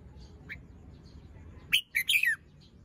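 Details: Young caged red-whiskered bulbul, still molting, fluffed up, crest not yet full, shows off its song style in the morning: one brief burst of loud, chattering, warbled notes after quiet, with a faint high chirp earlier.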